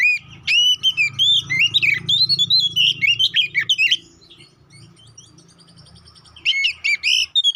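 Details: Oriental magpie-robin, kacer poci, in a fighting lure song: four seconds of dense, rapid warbling and whistled trills over a low background hum, a pause, then a short energetic burst of notes.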